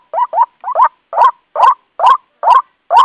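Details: A White-breasted waterhen lure call, used to draw birds toward traps or glue, gives harsh, nasal croaking notes, some doubled, about three per second with a slight upward twist to each, with no other sounds.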